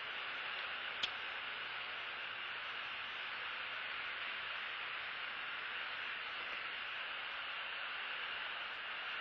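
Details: Even, unbroken static hiss from a nest camera feed with one faint click near the start and no animal voices.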